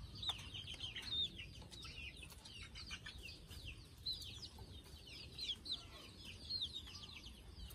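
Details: Many chicks getting ready to sleep give high, downward-sliding peeps in a dense chorus, with a few clearer whistled notes standing out over quiet low background hum.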